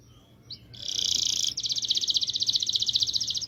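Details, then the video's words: Canary's long rolling song: a short rising note, then a loud sustained rattling trill, followed by a fast, even series of repeated buzzy notes. "MASTERAN KENARI NGEROL DURASI PANJANG"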